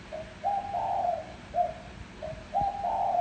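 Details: Spotted dove decoy call for luring wild doves: a short introductory coo leads into a long, slightly rising, rolling coo, then the phrase starts again, deep and soft against quiet room noise.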